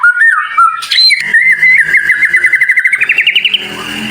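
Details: White-rumped shama master training song meant to make a bird open its beak, with dense, sharp, high phrases: a rich whistled opening, then a long rapid trill of repeated notes rising slightly over two seconds.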